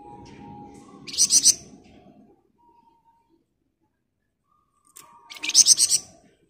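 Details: Flamboyan bird singing dense ngebren, used as a master for training birds: one short high pulsed rattle, a near-silent gap of about three seconds, then a second longer burst of sharp repeated notes.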